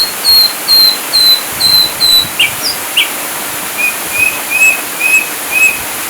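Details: Ashy drongo singing in a 'full tembakan' style of rapid-fire phrases, from a masteran tutor recording for songbirds: a row of short, high, even whistled notes, then sharp chips and lower clear whistles repeated about twice a second.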